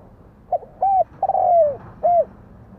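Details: Spotted dove calling: a single phrase of soft cooing notes, a short coo, a longer coo, a drawn-out falling note, then a final coo, all low and hollow over a quiet background.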